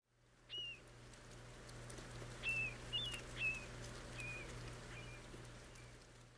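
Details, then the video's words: Marbled murrelet in Sitka, southeast Alaska, where they make night flights inland through much of the year, gives six high, plaintive, slightly falling keer notes about a second apart over a steady low hum. "Marbled Murrelet Call"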